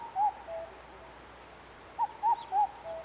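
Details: Indian cuckoo, 3 June 2021, with its distinctive four-syllable call: soft, whistled notes in a brisk phrase ending on a lower, shorter note, the phrase heard twice, under a quiet hiss.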